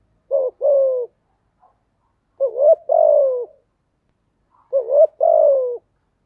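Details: Spotted dove decoy cooing, used to train newly caught doves to sing: three low, hollow two-part coo phrases, each a short rising note and then a longer falling one, repeated about every two seconds in silence.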